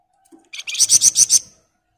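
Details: Sunda bush warbler singing continuously: a short bright phrase of five rapid, evenly spaced high buzzy notes lasting about one second, preceded by a faint soft note, with otherwise quiet surroundings.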